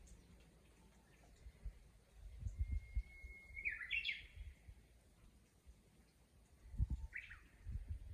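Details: Japanese bush warbler singing in a countryside chorus: a long, clear, level whistle that breaks into a bright, twisting rising flourish, then a shorter flourish a few seconds later, over a soft low rumble.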